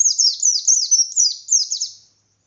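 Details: Ngalas-style white-eye song, loud and persistent, meant to rouse rival white-eyes in Indonesia: a continuous chain of high, sweeping downslurred chirps fading out after two seconds.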